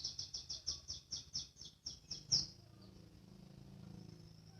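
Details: Young canary learning to sing, ngriwik practice: a run of about eleven short bright chirps at a steady pace, fading into a low background hum.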